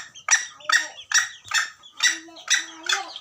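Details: Junglefowl at Gunung Kambeng, recorded as a trapping lure, giving rasping, noisy cackles roughly every half second, with a faint low hum between some bursts.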